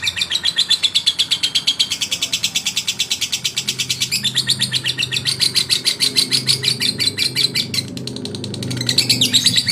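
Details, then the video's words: Male lovebird singing to provoke rivals: a long, fast run of harsh, buzzy chattering notes, about eight per second, high-pitched and almost unbroken, with a brief stutter near the end and a faint low hum beneath. "SUARA LOVEBIRD JANTAN MERANGSANG EMOSI LAWAN"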